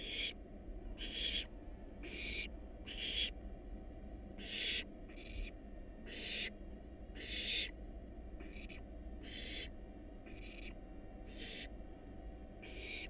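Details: A steady series of breathy, hoarse hisses from hungry wild barn owl nestlings, about one each second for thirteen seconds, recorded by a nest box camera during a feeding on rat and rabbit.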